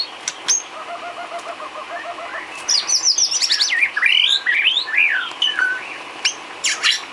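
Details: Cage-bird training filler song of a white-rumped shama: soft rapid trill, then a dense burst of high twisting whistles and chips, ending in sharp clicks.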